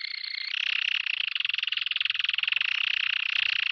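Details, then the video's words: Continuous canary roll for teaching young canaries to sing: a dense, rapid, rattling trill at high pitch, delivered without a break for several seconds after a brief higher opening note. "meilleur chant de canari pour l'écolage"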